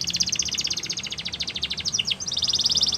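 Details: Border canary song for training young canaries: sustained rapid pulsed trill of high notes, a couple of falling slurs midway, then a renewed steady trill.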